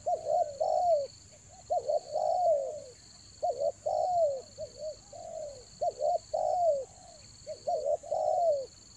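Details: Spotted dove cooing used to lure birds during the rainy season, Toba: rhythmic series of short looped coos each closing with a longer downward coo, repeated about every two seconds, steady high whine beneath.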